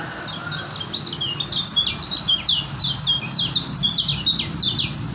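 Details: White-eye from Lombok singing steadily: a fast run of high, slurred chirps and twitters in tight clusters, continuous for several seconds over a soft low background hum.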